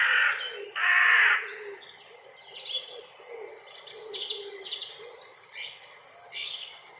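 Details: Two loud, rasping caws from a hooded crow (Corvus cornix) open the recording, followed by a busy background of short high chirps and whistles from other birds.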